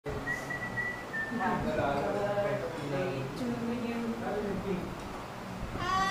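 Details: A pet cockatoo mimics a person's speech in raspy, voice-like phrases, with a clear whistle near the start and a rising squawk at the end; people talk and sing happy birthday nearby.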